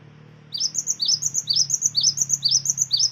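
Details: After a half-second of low hum, a cinereous tit starts its lure song, steady rising whistled couplets about twice each second, used to provoke other birds into singing.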